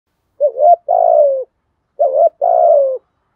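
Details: Spotted dove kept as a decoy bird, cooing in the thổ voice style: two phrases, each a short wavering note followed by a longer, slightly falling hoarse coo, about 1.5 seconds apart. No other sounds.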